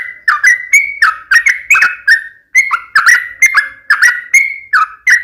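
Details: Energetic yellow-vented bulbul song: a continuous run of bubbling, fluty notes that dip and rise, grouped into short rolling phrases repeated about twice a second with one brief break.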